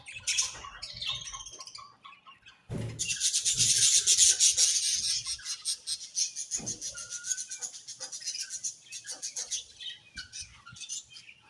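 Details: After a few scattered chirps and a pause, budgies break into a long, loud, fast warbling chatter of high, rapidly pulsed notes that gradually softens into rhythmic twittering.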